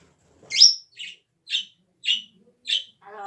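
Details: Pet parrot making a sharp cough followed by four short, evenly spaced raspy hacks about half a second apart, then a lower throaty sound.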